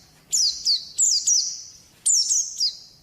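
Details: White-eye, a champion songbird, delivers two bright bursts of high, thin trilling notes, each opening with a sharp downslurred whistle, separated by a brief silence.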